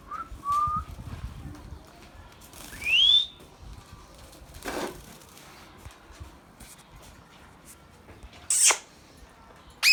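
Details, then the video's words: Indian ringneck parrot kept as a pet bird: a few loud, sharp calls, a short rising whistle near the start, a louder upswept screech around three seconds, then harsh bursts near the end, with quiet room noise between. "Indian Ringnick Parrot natural sounds"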